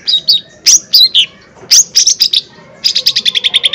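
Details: Lure song of a lesser green leafbird in full voice, aimed at provoking rivals: varied slurred high whistles and chirps, then a steady rattle of about ten quick repeated notes.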